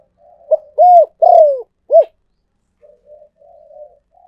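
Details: Spotted dove cooing for use as a luring decoy: a clear four-note phrase of arched and burred falling coos, then a run of soft, low, muttered notes.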